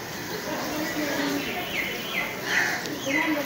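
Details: A pied starling in Bangladesh, seen from a window on 17 March at 10:20 am, sings a rambling run of slurred whistles, swoops and throaty chatter over a steady hiss.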